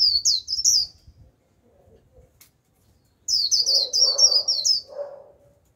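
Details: Japanese white-eye used as a lure bird to call in wild white-eyes gives two bursts of rapid, high, thin twittering notes, tumbling and jumbled, with a brief pause between them.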